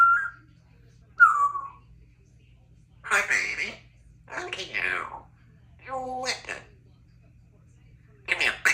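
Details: Three-year-old female Congo African grey parrot kept as a pet in a country home, chatting indoors: two short whistled notes, then a few harsh, speech-like phrase bursts with pauses between them, in a quiet room with a low steady hum.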